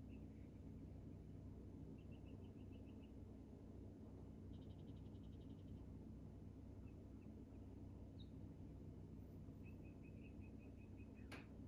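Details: Hummingbirds active at a feeder: quick runs of high, sharp chips, five or six in a row, plus a short buzzy rattled burst, over a steady low rumble of background noise.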